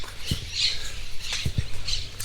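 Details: Monk parakeets in a sunny town square in Durazno, Uruguay, calling loudly; harsh, scratchy squawks burst out repeatedly, mixed with thudding footsteps and a low background hum.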